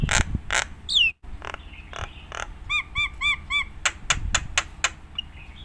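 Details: Nias hill myna song for training other mynas: loud harsh bursts and a falling whistle, then a series of five short arched, bell-like notes and a run of sharp clicks, low noise behind.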